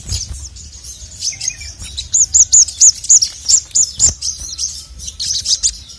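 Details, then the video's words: Male crested jay, sogok ontong, singing to rouse rival birds: a run of about eight loud arched whistled notes, roughly four per second, framed by softer high chirping and a single low knock. "SOGON MANAPUN NGMAUK GACOR langsung emosi dengar masteran suara burung sogon jantan ini"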